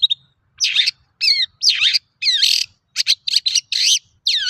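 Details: Long-tailed shrike singing as a lure to prompt other shrikes to sing; loud, scratchy phrases of swooping whistles and harsh notes, each about half a second long, in a varied mimicking sequence.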